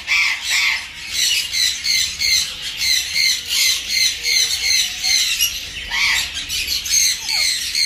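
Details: A captive adult bonded pair of black-capped lories give harsh, grating squawks in rapid, uneven bursts, about two or three a second, with a few higher screeches mixed in.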